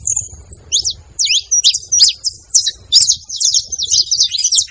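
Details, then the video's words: A high thin note, then a quickening run of sharp, squeaky chirps from free-living saffron finches feeding, the notes crowding closer into a busy chatter toward the end. "Canarinhos da terra fazendo barulho"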